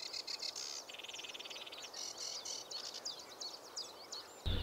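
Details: Sedge Warbler singing in spring from a Dutch reedbed: a hurried, scratchy jumble of chattering and whistled notes with a brief dry buzzing trill, over a low rumble that ends in a thump.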